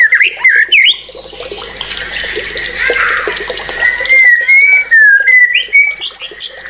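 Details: White-rumped shama giving looping whistled phrases, a noisy rushing passage in the middle, then bright steady whistles and sharp high notes.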